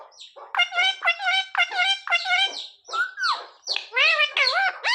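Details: Pet parrot talking, calling for roti: a rapid run of evenly spaced harmonic syllables, about two per second, then louder swooping, bent, speech-like phrases toward the end.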